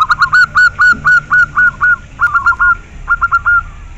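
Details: Local zebra dove, a clear-voiced perkutut, singing loud, evenly spaced hooked notes, then a short gap and a faster trilled group of notes.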